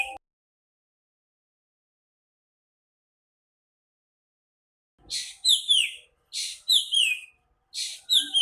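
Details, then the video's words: Singing nightingale, heard after about five seconds of quiet: three rapid phrases in close succession, each a buzzy burst and then sharp downslurred whistles. "Singing nightingale"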